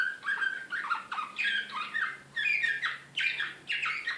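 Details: Serbian slavujar canary in Belgrade, 2016, described as excited, repeating short bursts of sharp falling whistles about twice a second, with a low hum in the background.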